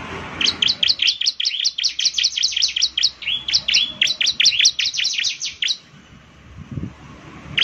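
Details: Rapid, high, repeated downslurred chirps from a Bar-winged prinia (ciblek semi) run for nearly six seconds, briefly stumbling in the middle, followed by quiet background noise.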